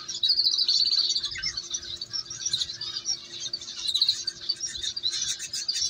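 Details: Canary chicks at feeding time, begging in a dense, continuous high-pitched chatter of scratchy, overlapping chirps that swell and fade without pause.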